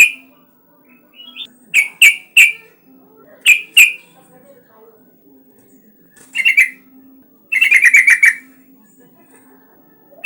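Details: Lure song of an actively singing yellow-vented bulbul, used to prompt other bulbuls: spaced pairs and triplets of crisp chirps, then two rapid bubbling chattering bursts, over a faint low hum.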